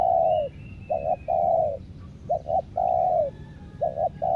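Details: Lure spotted dove cooing steadily: paired short notes leading into a long, level coo that drops away at its close, the phrase repeated three times in quick succession over a quiet outdoor background.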